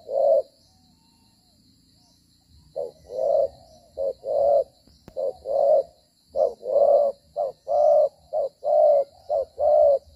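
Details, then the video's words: Spotted dove used as a trapping decoy, cooing as it moves and fights; after a quiet stretch, the bird launches into quickening pairs of short and long low coos, packed closely near the end, with soft rustling beneath. "Bổi có nết đấu duy chuyển kèm gù quá hay"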